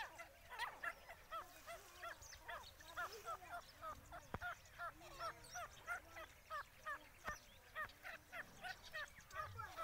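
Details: Grey francolin calls during a fierce fight between a pet francolin and three wild francolins: a fast series of short, rising, ringing notes, about two per second, repeated steadily for ten seconds, fairly faint against background noise.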